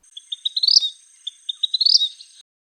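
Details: Vermilion flycatcher, a common spring backyard bird in Arizona's deserts, sings two thin phrases of quick ticking notes that speed up and climb into a high, buzzy trill, over a faint steady high hiss.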